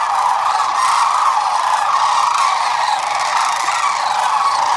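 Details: Sandhill cranes, a flock of about 12,000 at Whitewater Draw, recorded February 19, 2021: a dense, unbroken chorus of overlapping rolling, trumpeting calls, steady throughout with no pauses.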